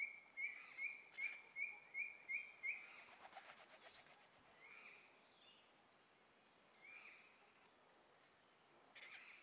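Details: Crimson-fronted Parakeets at Rancho Naturalista, Costa Rica, on 10 April 2024: seven short, sharp, high calls in quick succession over about three seconds, then a burst of wing flutter, with a steady thin insect whine behind.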